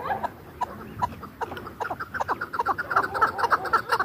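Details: Chukar partridge from Dashti Jum, a hunting bird, starts with scattered soft clucks that quicken and grow louder into a dense, rapid chattering series of chuk notes.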